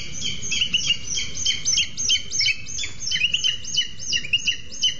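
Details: Both booted eagles call at their Sierra de Guadarrama National Park nest as the male delivers a lizard to the female sitting on two eggs. Rapid, overlapping high whistled notes, some slurred downward, pour out nearly three per second.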